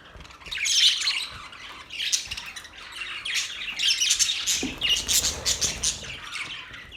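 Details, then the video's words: Parrot chirping heard as busy, overlapping high twitters and raspy squawks, building in loudness near the first second and again around the fourth and fifth, then continuing as steady chatter. "Parrot Relaxing | Parrot sound | Parrot chirping sounds | Parrot voice | Parrot Talking voice"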